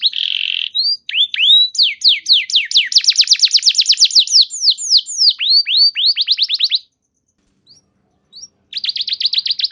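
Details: Canary song to stimulate other canaries: a buzzy note, then descending whistles building into a fast trill, a short silence, and a resumed rapid buzzy trill.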